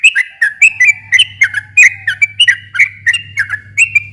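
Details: Sooty-headed bulbul song played to stir a silent bulbul into answering. Lively, liquid whistled phrases follow each other rapidly over a constant low hum.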